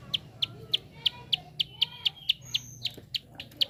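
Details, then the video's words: A prinia's quick clicking, intended to stimulate other birds to sing: crisp, evenly spaced ticks about three per second, with faint thin whistles of other birds in the background. "SUARA JITU Prenjak Klik cepat Merangsang bunyi burung bahan"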